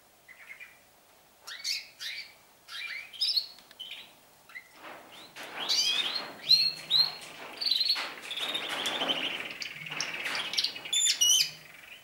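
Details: Canaries singing more and more as their season starts; scattered chirps at first, then a dense chorus of overlapping trills and warbles from several birds, with a faint low hum.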